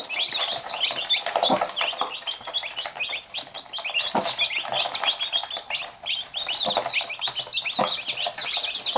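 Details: Chickens: chicks pestering their mother hen, which pecks at them. A steady chorus of thin, downslurred chick peeps with a few low thuds and clucks.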